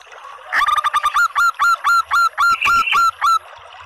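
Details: Local zebra dove, a female, calling so males join in and sing. She gives a rapid run of about a dozen bright, clipped notes, each with a quick upward flick, evenly spaced, against light background noise.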